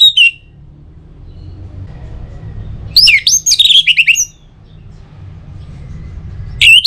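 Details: Orange-headed thrush song, used as a lure to get other birds singing, Singaraja, North Bali: a brief high whistled note, then a burst of quick varied twisting whistled phrases, a pause, and another high note, over a low hum.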